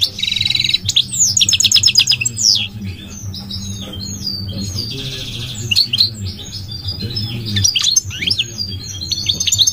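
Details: Goldfinch, migratory, singing: buzzy nasal rattles alternate with tinkling twitters and quick chirped notes across nearly ten seconds, several distinct phrases, over a steady low hum.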